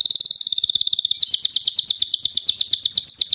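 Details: A Gloster canary delivers one long, even, high-pitched trill of quickly repeated notes that brightens and rises slightly after the first second.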